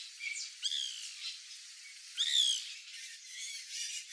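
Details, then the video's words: White woodpecker (Melanerpes candidus) at backyard fruit in Brazil, giving two loud harsh squawking notes that slur downward with buzzy overtones, about one and a half seconds apart, over faint high chirping from other birds. "PICA-PAU-BRANCO (MELANERPES CANDIDUS), WHITE WOODPECKER, CRI-CRI, BIRRO"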